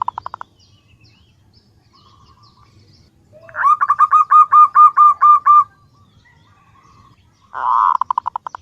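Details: Female zebra dove calling to a male, played to attract males: a quick run of about ten bright, clipped ringing notes, preceded and followed by brief purring bursts.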